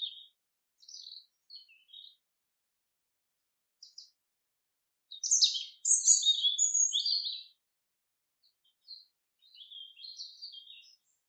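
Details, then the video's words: Common chaffinch in a forest, with sparse high chirps and then one loud phrase of about two seconds, bright notes tumbling downward. Fainter twittering follows near the end. "Bird sounds ~ Beautiful Song of the Chaffinch in the forest"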